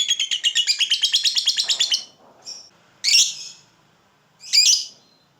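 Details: Pet lovebird singing its ngekek, a tutor song for other lovebirds: about two seconds of quick, rattling, high-pitched trill, then quiet, followed by two separate sharp, shrill chirps.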